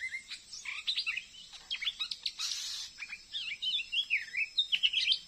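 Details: Wild Oriental magpie-robin, trapped on a glue stick near a house yet still fighting a decoy, pours out a varied, fast song of sharp chips, slurred whistles and twisting warbled phrases, with a brief rustling burst midway.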